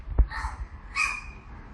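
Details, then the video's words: Barking crow giving two short, rough calls about half a second apart, the second louder and brighter, with a low thump and background rumble. "A crow that makes barking sound"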